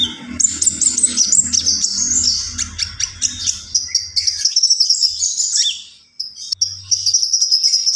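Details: Vigorous common iora song of fast, high twittering trills that fade briefly around six seconds, then a sustained, thin, very high whistle; a low hum is heard in the first half.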